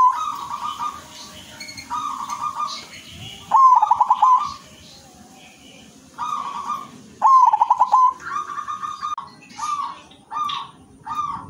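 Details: Silver-variety zebra dove singing loud and often with a fancy rhythm. Mellow, throaty coos with fast pulsing trills repeat every few seconds. Softer coos from other doves overlap between the loud phrases.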